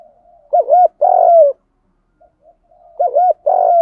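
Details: Spotted dove in the 'gù đấu' challenge style, made from cock and hen birds to stir newly caught doves into calling: two matching phrases about two and a half seconds apart, each a quick looping double hoot then a sustained mellow coo.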